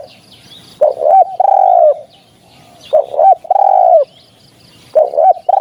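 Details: Spotted dove calling on a recording made for luring spotted doves in hunting: a loud, low hoarse phrase of short clipped notes and a drawn-out coo, repeated about every two seconds. Faint high chirps from other birds.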